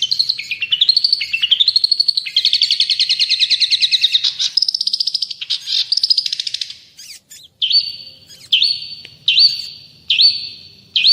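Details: Long-tailed shrike tutor song: rapid trills and rattling note series at varied pitches, then a slower sequence of separate downslurred whistles repeated roughly every second.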